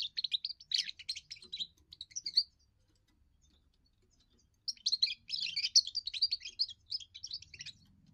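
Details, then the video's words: European goldfinch, a young bird's first song for territory and attracting females: a long run of bright twittering and trills, about two seconds of quiet, then another sustained jangling, liquid phrase. "first song of a young goldfinch amazing wonderful singing"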